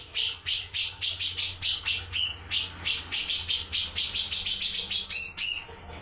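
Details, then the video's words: Puff-backed bulbul repeating harsh, rasping chirps about three or four times a second, the series broken by a few clearer whistled notes, with a soft background hum throughout. "Cucak jenggot"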